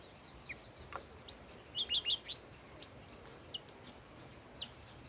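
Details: Old wild red-whiskered bulbul song, fairly quiet: a short cluster of wavy whistled notes in the middle, surrounded by thin high chips and ticks against a soft background hiss.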